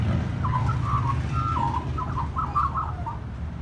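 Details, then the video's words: Magpie singing at a family home, quick warbled notes in short clusters over heavy low traffic-like rumble. "Magpie singing at Dad’s 2"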